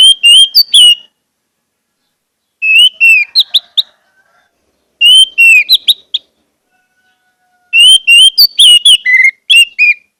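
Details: Orange-headed thrush song used as a lure to get silent birds singing quickly and steadily: four bursts of rich, clear whistled notes mixed with fast chirps, repeated about every two and a half seconds with silent gaps between.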